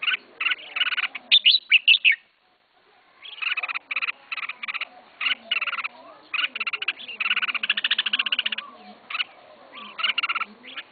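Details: Red-whiskered bulbul raised by a beginner keeper, pouring out rapid chattering strings of sharp repeated notes and warbled phrases, with one brief silent gap early on; soft background noise.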